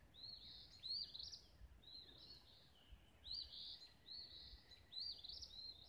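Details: Sunrise birdsong in Olivehill, Tennessee: quick high chirps and whistled notes in clustered phrases, about five bursts over several seconds, with soft low background hum.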